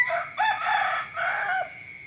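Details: Chicken rooster's morning crow, opening immediately with a short note, then a long harmonic-rich phrase and a falling final stretch, before fading into quiet with a steady background hum.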